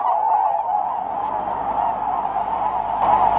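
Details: Large flock of tundra swans that wintered at Lake Biwa, Japan, calling as they take off northward on migration on a windless early morning of 4 March; a dense, continuous mid-pitched wash of overlapping honks with a few louder notes near the end.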